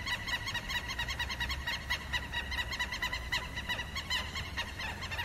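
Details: Alarm calling of Southern lapwing warning of predators: quick, harsh, evenly spaced notes in a fast run, somewhat fainter, over a steady low hum.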